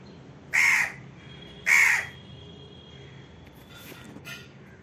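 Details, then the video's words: Indian crow giving two harsh, loud caws about a second apart, followed by fainter distant calls from other birds over a quiet background hiss. "Indian crow sound"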